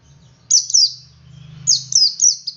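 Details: Oriental white-eye male giving ngalas song to prompt others to sing: two high downslurred notes, a short gap, then a faster run of four sweet falling phrases, with a soft low hum behind.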